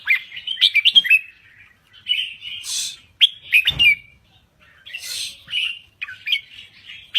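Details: A Thai red-whiskered bulbul sings in lively style, with fluty, slurred notes and quick chatter. Phrases are split by short gaps, with a few sharp clicks and rustles mixed in.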